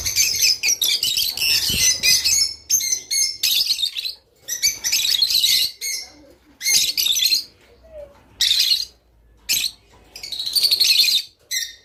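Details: Rice finch song played to encourage caged birds to mate: bursts of high chattering, twittering phrases with thin whistled notes, separated by short pauses, plus faint low thumps.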